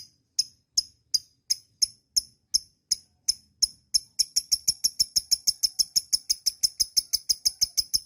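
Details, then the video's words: Lovebird giving a long chatter (ngekek panjang), played as a master recording to prompt other lovebirds to sing: sharp, very high clicking chirps, evenly spaced at first, then speeding into a fast, steady run of rapid notes. "TERAPI LOVEBIRD NGEKEK PANJANG"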